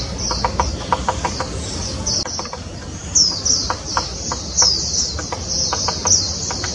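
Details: Grey-capped pygmy woodpecker recorded in Taiwan in 2016, giving high, thin squeaky notes in a loose repeated series, with sharper accented notes now and then, over a constant low rumble and short tapping clicks.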